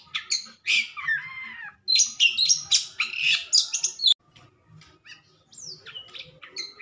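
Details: Caged white-rumped shama singing once its cover is taken off, fast bursts of high chattering and whistled notes, then a quieter stretch of thin rising whistles.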